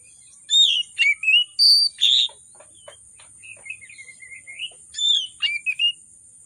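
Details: Oriental magpie-robin in emotional, vigorous song with rich fill, used to prompt hard-to-sing birds. Loud, clear whistled notes, then a soft twittering stretch of quick clicks and warbles, then more bright whistles over a thin high whine.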